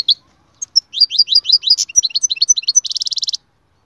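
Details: Goldfinch song in a rapid run of high, sharp twittering notes, then a fast buzzy trill near the end, with no other sounds.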